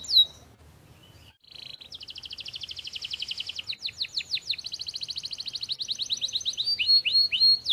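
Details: Canary singing day and night: after a short whistle and a pause, a long varied song of fast buzzy trills, swept rising and falling notes and rolling phrases that grows steadily louder.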